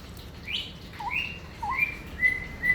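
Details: Straw-headed bulbul in ropel-style song: a quick run of clear whistled notes, each slurred up or down, followed by several level whistles, against faint background hiss.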